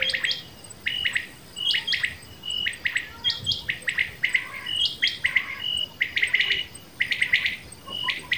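Common quail give short, sharp, liquid notes in quick clusters, overlapping and repeated throughout at a high pitch, with faint insect hiss beneath.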